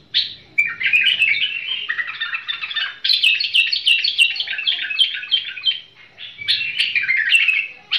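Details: Bulbul delivering a long, nearly continuous run of rapid, tumbling warbles and chirps, rising and falling in quick jumps. A short pause breaks the run before it resumes. There is a faint low hum beneath.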